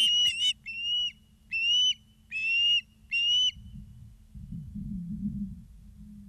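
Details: Osprey at a Charlo, Montana nest filmed by live camera on 2 September 2023 at 16:03: a few quick shrill chirps, then four spaced whistled notes, followed by low rumbling background sound.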